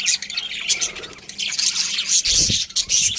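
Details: Several budgies keep up a dense high chatter of squawks and chirps, one brief low thump near the end.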